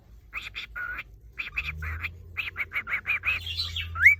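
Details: Captive male cockatiel courting a female, tapping beak on cage walls or nest box: a run of short rhythmic chirps about four per second, ending in one clear rising whistle, over faint low hum.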